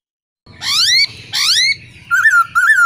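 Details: Black-throated laughingthrush song, male with female calling, used to stir kept birds into singing. Two loud upslurred whistles are followed by two shorter wavering whistled phrases, with faint low background noise.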